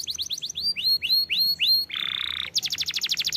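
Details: Canary song used to coax young canaries into singing: clear rising-then-falling whistled notes repeated about three per second, a steady buzzy rattle, then a rapid high trill.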